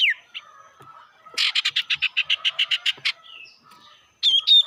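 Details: Sirtu bird calling as a lure to provoke rivals: one falling whistle, then a rapid even series of about thirteen buzzy chattering notes over two seconds, ending with loud high whistled notes.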